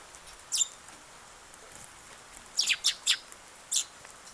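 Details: Sparrow visiting on 8 August, the first of the day, filmed until it flew away: a single sharp chirp, then a quick cluster of four bright, high chirps about three seconds later.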